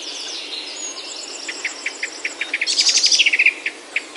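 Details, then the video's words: A bird sings in Himalayan oak woods near home in Himachal, India: evenly spaced clipped notes repeated steadily, broken by a quick burst of high chattering, while a faint thin trill runs in the background. "Himalayan Oaks Alive with Birdsong"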